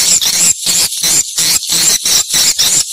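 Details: Swiftlet calls taped to test a location: a continuous high, hissing twitter in bursts of roughly a third of a second, separated by short silent breaks that give a pulsing rhythm.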